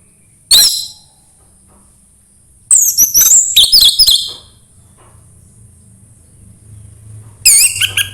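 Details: Orange-headed thrush song, offered to coax a quiet bird into singing: isolated bursts of very high, sweeping whistles and chattering notes, separated by pauses of a few seconds, with faint low hum between phrases.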